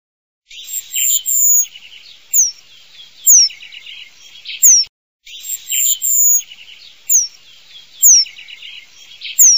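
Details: Eurasian penduline tit singing: thin, high, drawn-out whistles that slide downward, mixed with short buzzy trilled phrases and quick chirps. Phrases are separated by brief pauses, with no other clear sounds.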